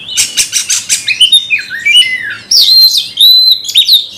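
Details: Caged magpie-robin (kacer) singing aggressively as if provoked by a rival: a run of rapid harsh buzzy notes, then clear whistled phrases sliding between high and mid pitch, with loud bursts and scratchy rasps.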